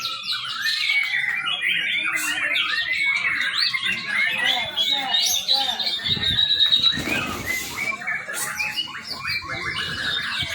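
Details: Young white-rumped shama singing as a lure for training birds: fast, dense string of short chattering notes and clear whistles, a loud rustling or scraping noise breaking in midway, then the varied warbling resumes.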